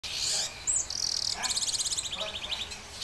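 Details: Red siskin singing: high, thin twittering opening into a buzzy note, then a rapid rattling trill of dense repeated notes that slows and fades over about two seconds.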